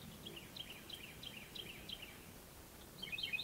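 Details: Two Carolina wrens call back and forth with loud, rolling phrases repeated about three times a second, the second answering near the end, over faint hiss; a frog and a cricket frog may be audible behind.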